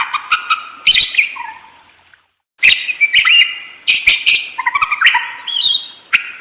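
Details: Budgerigar song: rapid chattering phrases of clicks, squawks and stepped falling whistles, a brief silence, then an even denser run of scratchy, buzzy notes.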